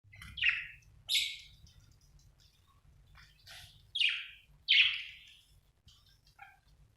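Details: Budgerigar chirping indoors: separate short bright chirps and warbling bursts at irregular intervals, some rising then falling, with quiet gaps between them and faint low room noise.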